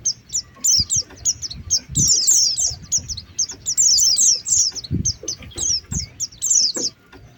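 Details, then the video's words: Lure recording of Oriental white-eye from Indonesia: dense, very high twittering chirps and squeaky trills tumbling over one another, likely several birds, with faint low knocks and handling noise beneath. "Suara pikat pleci | pikat pleci terbaru 2023 | langsung turun"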